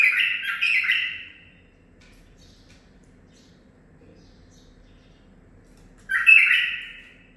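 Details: Captive-bred male bulbul, nine months old, singing tutor-learned phrases. A short rich warble opens, a long near-silent gap follows, then a second strong bubbling phrase.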